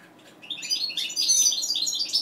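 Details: Bright, jumbled twittering song from a captive mutation-bred European goldfinch, quick high chirps tumbling together and growing louder toward the end.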